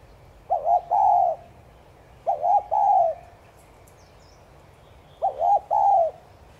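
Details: Spotted dove 'thúc gù' cooing aimed at prompting other doves to coo. Three phrases, each two brisk hollow notes and a longer falling coo, separated by pauses of a few seconds. Faint chirps are heard in the background.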